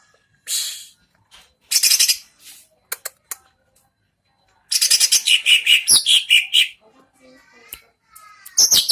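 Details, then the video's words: Contest greater green leafbird singing against an opponent: loud scattered chirps and sharp clicks, then a two-second stream of rapid high notes, followed by softer warbled phrases. "GAYA NAKUTI LAWAN CUCAK IJO"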